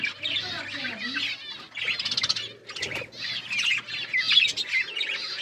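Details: Budgerigars chattering together: dense, overlapping warbled chirps and scratchy twitters in quick bursts, with brief pauses between bouts and occasional fluttering wings.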